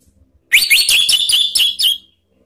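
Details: Male orange-headed thrush, played to provoke other birds into singing: one loud, clear whistled phrase of about six quick rising and falling notes lasting one and a half seconds.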